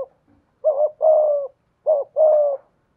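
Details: Spotted dove kept as a decoy, singing in the 'thổ' style: two phrases, each a short wavering coo followed by a longer, smooth, slightly falling coo, in otherwise quiet surroundings.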